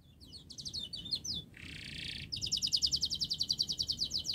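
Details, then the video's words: Quieter recording of a fast canary song used to lure young canaries into singing: choppy high notes, a harsh buzzy rasp, then an even, rapid rolling trill repeated about three times a second. "Kenari Gacor Panjang Speed Rapat Untuk Pancingan kenari Paud Agar Cepat Gacor"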